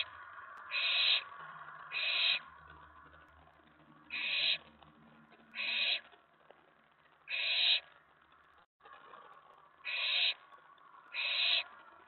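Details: Owlet in a nest box at night, May 19 2017, after a mouse delivery, stirred by an owl landing on the tray; short rasping hisses in loose pairs with faint low hum beneath.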